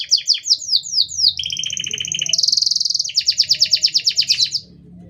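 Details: Canary singing to train or provoke other canaries: several quick descending whistles, a double-toned sustained trill, a louder buzzy roll, then a fast pulsed trill repeated about three times a second.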